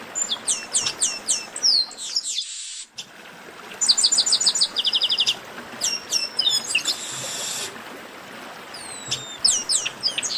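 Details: Chestnut-capped blackbird (garibaldi) 'esquenta' song: dense runs of rapid, high-pitched downslurred whistles repeated in series, with a short gap near three seconds and a buzzy trill around seven seconds, suggesting several birds singing at once.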